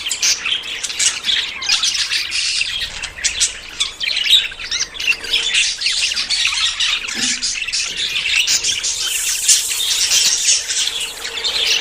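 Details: Budgerigars courting and nearing breeding fill the air with rapid overlapping chirps, squeaky warbles and occasional harsh squawks, building toward a louder stretch near the end.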